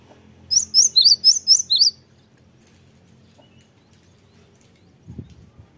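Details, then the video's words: Cinereous Tit song used as a lure to make other birds answer: six high, sharp chevron-shaped notes repeated quickly over about 1.5 seconds, then quiet with a low thump near the end. "gelatik batu apapun 100% nyaut gacor dengan pancingan gelatik ini"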